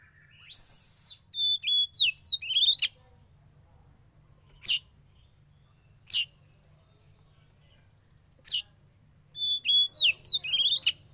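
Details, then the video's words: Young Oriental magpie-robin taken from the wild and kept in captivity, during sauna therapy, sings loud bursts of rich whistled and trilled phrases with rapid falling slurs, separated by isolated sharp chip notes every couple of seconds; faint low hum behind. "Terapi Sauna Kacer Muda Hutan"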